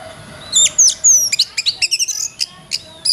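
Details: Oriental magpie-robin (kacer) training song for songbirds: clear whistled downslurs and a sliding note, then a quick series of short sharp chips and buzzy notes, with faint background hum.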